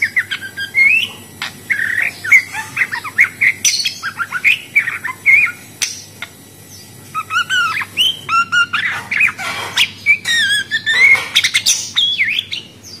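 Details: Long stretch of budgerigar chatter: steady streams of short squeaky chirps and whistled slurs, a quieter spell, then denser twittering and scratchy bursts.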